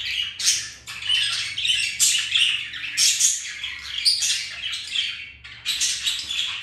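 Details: Pet budgerigars, a pair, mating, flirting and playing indoors; continuous scratchy, squawky chatter with bright chirps and short warbled notes in quick bursts, brief pauses between phrases.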